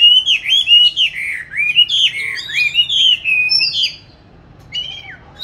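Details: Song of a caged oriental magpie-robin hatched 29 July 2020, recorded 22 March 2021 while hung in an ideal place to practise singing: rich flowing whistled phrases, sliding up and down, a brief pause, then a short rising whistle.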